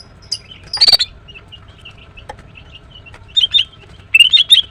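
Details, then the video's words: Female greater green leafbird heard in the morning, giving a sharp burst of high chirps, then a pause and short clusters of thin, bright notes, faint twitters in the background. "The female Green Cucak bird is chirping well, GREATER GREEN LEARBIRD"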